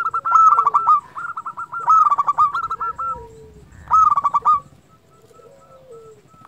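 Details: Zebra dove (local bird) singing vigorously, used as a lure to get doves singing: three phrases, each a fast burst of ringing notes trailing into a row of clipped coos, followed by a softer, lower sliding note.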